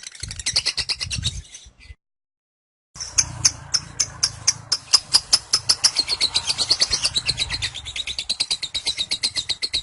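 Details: Lovebird of kekean stock in ngekek, the long chattering song lasting around 30 seconds with upturned head. Rapid piercing chirps, a second of silence, then a resumed stream of sharp notes that accelerates into a steady fast trill.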